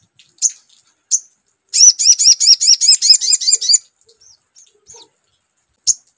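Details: Lure sound of a crimson sunbird used to make another sogon sing: two single high chips, then a loud two-second burst of rapid, ringing upswept notes, then sparse faint ticks and a final chip.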